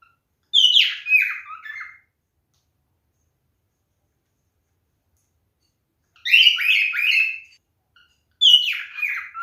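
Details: Male cockatiel calling in mating behaviour, giving short bursts of scratchy, falling chirped notes separated by long silent gaps, three bursts in all.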